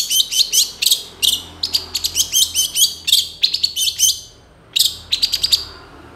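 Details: Long-tailed shrike in full, varied mimicking song, delivering dense bursts of harsh, rapidly repeated high chirps in quick groups, a short pause, then another chattering burst.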